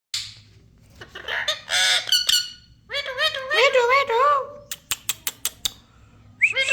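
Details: Parrot giving a run of harsh, buzzy squawks with wavering harmonic notes, followed by a string of sharp clicks and a final rising squeak.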